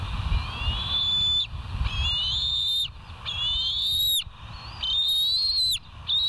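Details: Bald eagles at the West End nest on 5 July 2023, early morning at 06:18, calling in a run of high, thin whistles that rise and then level off, about one each second or so, with low rumble beneath.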